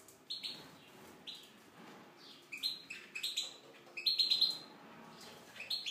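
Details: Tunisian goldfinch in an aviary: bright twittering song in short bursts of high, rapid notes with some buzzy chirps, clearest and loudest near the four-second mark, separated by brief quiet gaps.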